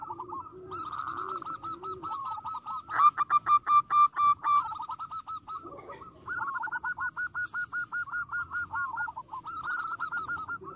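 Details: Zebra dove song meant to anger rival birds into replying: long runs of rapid, rolling trilled coos at one steady pitch, with a louder, more accented stretch in the middle and softer lower coos from another dove at the start.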